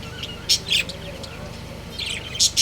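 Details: Pet budgerigar breeding pair chirping: a few loud, sharp, high tweets spaced roughly half a second apart, mixed with softer twittering, over a constant low background hum.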